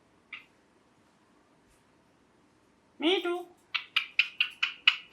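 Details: Green ringneck parrot kept as a pet: a tiny click, silence, then a harmonic, speech-like call that drops in pitch, followed by a rapid, evenly spaced run of about six sharp chirps.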